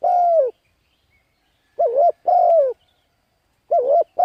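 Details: Spotted dove cooing to lure wild birds, a lure recording: drawn-out falling coos alternating with short wobbling notes, in bursts separated by about a second of silence.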